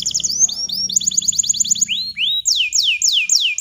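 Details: Bottle-green canary singing actively, used as a tutor song for young canaries learning to sing; high trilled tours of rapid repeated notes, then slower loud downswept whistles repeated about three per second.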